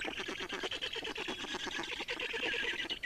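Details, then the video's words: Black storks in Estonia during feeding on 30 May 2019: a continuous raspy, rapidly pulsed chatter of about ten pulses a second, harsh and hoarse without pause. "Estonian Black Storks - Feeding"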